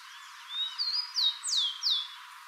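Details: Rufous-collared sparrow, locally called pé de pilão, at Ichu, singing while another forages: a few clear, high, slurred whistles, each falling in pitch, the later ones louder and longer.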